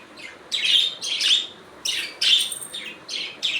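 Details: Budgies making natural sounds: rasping, buzzy warbled phrases in bursts of about half a second, two early, a longer mid pair, and shorter chirps at the close.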